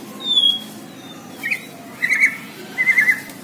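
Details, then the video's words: White-rumped shama of the Borneo type, in full song: a few clear whistled notes, a long high whistle followed by short warbled phrases about half a second apart, with low background hum. "MURAI BORNEO GACOR DARRR DERRR DOORRR"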